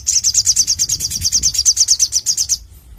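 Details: Crimson sunbird song: a fast, even trill of high ticking notes, about seven per second, running for two and a half seconds then stopping.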